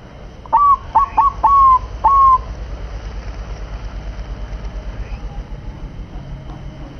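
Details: Bangkok crossbred zebra dove gives four quick whistled notes, the third drawn out, each with a sharp attack and a level falling tone. A steady hum and faint clicks continue after the burst.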